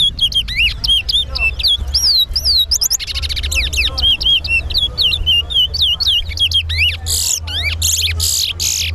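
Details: Competing towa towa at the Sheriff Street bird ground in Guyana: fast run of bright whistled swoops and chirps, some doubled, then a string of loud raspy buzzes in the last seconds, over low crowd hum.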